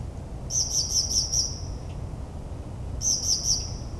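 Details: Northern mockingbird singing at night in suburban New Jersey, a mimic of many bird species; two short bursts of rapid, high, repeated notes separated by a pause, over a low background hum.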